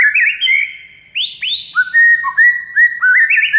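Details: White-rumped shama song as a training recording for a silent shama: rippling warbles, two strong upward-swooping whistles, then a rapid series of short bright slurred notes.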